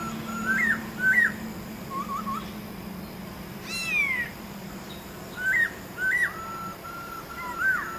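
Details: Masked laughingthrush in the wild giving ringing whistled notes with short upward flicks and level phrases in loose bursts. One sharp descending chirp from another bird cuts in midway, with a steady low hum beneath.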